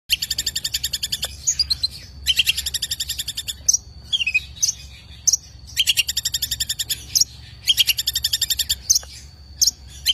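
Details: Long-tailed shrike song: bursts of dense, rapid buzzy trilled phrases about a second long, alternating with scattered short sharp notes, over a faint steady high whine.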